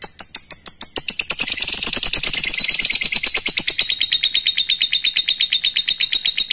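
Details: Lovebird's ngekek chatter, given while calling a rival: starts as separate sharp chips, then merges into a fast, dense, harsh rattle that levels into a steady high trill held for several seconds.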